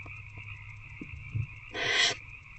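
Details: Harsh barn owl hiss from a nest box after dark, an adult feeding an older owlet on 19 February 2024; a single noisy screech near two seconds, faint taps before it, steady hum behind.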